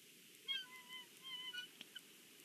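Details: Bald eagle family feeding at breakfast in the Big Bear nest: a short run of thin whistled notes, some slightly falling, with a couple of soft clicks and a steady hiss underneath.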